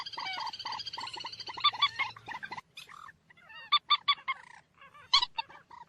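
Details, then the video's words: Moorhen giving loud, harsh croaking calls in short bursts, with rough honking notes repeated irregularly and a steady low hum underneath. "ডুংখোর পাখির ডাক। Moorhen birds shound"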